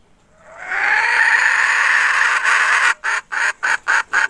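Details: Hen recorded in 2021 gives a long rising rasping wail lasting over two seconds, then breaks into six quick, evenly spaced harsh clucks.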